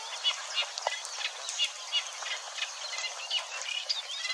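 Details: Eurasian Reed Warbler singing at Wetering West, Overijssel, on 6–7 May 2022, burbling contentedly with a little imitation; a steady run of short, chattering notes at moderate volume.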